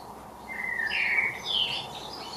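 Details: Eurasian blackbird in a Derbyshire garden giving a brief song phrase: a rich fluting note sliding downward, then a higher clear whistle, over quiet background noise.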